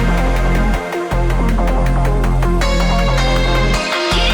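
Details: Loud electronic dance music with a thumping beat, booming bass and layered synth tones, with no animal calls.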